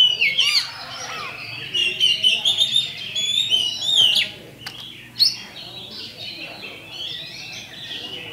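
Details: Oriental magpie-robin from a champion kacer lure track, meant to incite fighting: rich run of whistled notes and trills that softens into quieter, sparser phrases toward the end.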